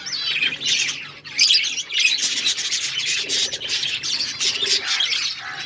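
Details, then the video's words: Pet budgies chirp and chatter in a constant, dense stream of high twittering, squeaks and warbles, with one brief dip in the middle. "Budgies chirping sounds and budgies talking"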